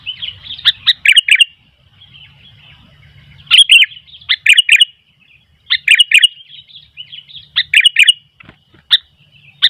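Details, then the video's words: Lively sooty-headed bulbul song that sets wild bulbuls calling in reply; clusters of bright, liquid chirps come in short bursts every second or so, separated by brief quiet gaps, with a low hum underneath. "Burung kutilang gacor ..sampai kutilang liar jadi ramai"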